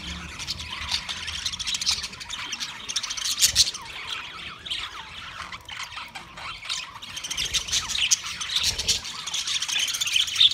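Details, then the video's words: Budgerigars chattering on 13 March 2024: a continuous high, scratchy warble of many overlapping chirps from several birds, rising in intensity toward the end. "Beautiful Australian Parrot sounds Budgie Sound"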